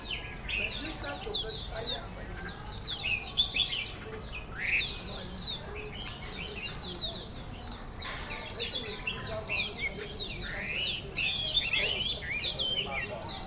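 Chinese Hwamei pouring out a loud, rich song of fast whistled phrases, slurred notes and rapid trills, varied and almost continuous.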